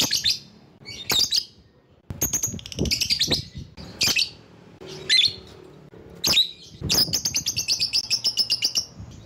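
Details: Lovebird calling rivals as a lure: loud grating squawks in irregular bursts, ending in a fast rattling chatter of high notes.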